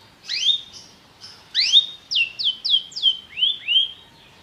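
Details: Belgian canary song, a popular type used to rouse other canaries: separate upslurred and downslurred whistled notes, about eight in a loose series over four seconds.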